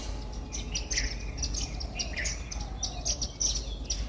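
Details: Indian silverbills, also called white-throated munias, chirp while eating millet at a bird feeder in a house garden. Short high chirps come thickly and irregularly over a steady low rumbling hum.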